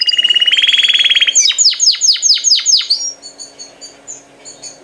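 A canary sings a fast buzzy trill, then six sweeping downslurred notes about every quarter second, ending in softer high twitters.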